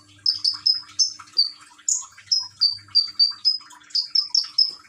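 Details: Common iora kept in a cage in Gresik, East Java, singing to a trickling-water track; a quick steady string of high clear whistled notes, about three per second, some slightly higher, with faint low hum.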